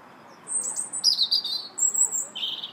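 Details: Robin singing in a park in March, thin high whistles, a buzzy twittering run and a lower warbled ending, in quick varied phrases over soft background noise.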